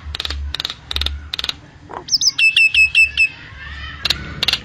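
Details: Common myna (jalak nias) in full song: harsh rasping bursts, then a fast run of sharp whistled notes, and harsh bursts again at the end.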